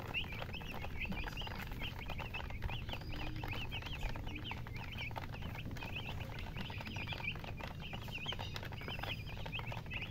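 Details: Baby chickens peeping almost continuously, with quick overlapping chirps that rise and fall. A constant low-frequency hum and rumble sit underneath.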